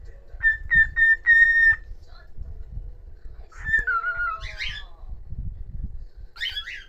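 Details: Solo whistled tune from a pet cockatiel: four quick level whistled notes, a pause, then a long descending slurred whistle, ending with a short harsh burst.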